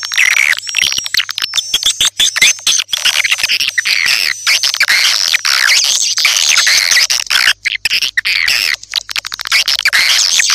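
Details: Attracting call of swiftlets: dense, continuous high twittering and chattering with thin whistled notes woven through, many overlapping voices, over a low steady hum.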